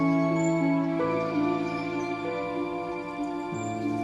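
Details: Slow, tender instrumental music with sustained chords and stepwise shifting bass notes, steady throughout; no animal voices.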